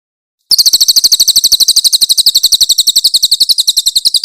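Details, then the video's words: Grey-headed canary-flycatcher (cililin) delivering loud rough song bursts for training other songbirds. Following a short silence, a very high, rapid, rattling trill of sharp repeated notes continues steadily. "AUDIO MASTER BURUNG CILILIN GACOR FULL TEMBAKAN KASAR & SUARA JERNIH"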